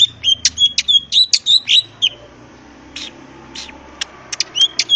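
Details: Greater green leafbird from the wild, singing to draw answers from other birds: quick high chips and short whistled phrases in a busy burst, then sparse scattered notes over soft background noise.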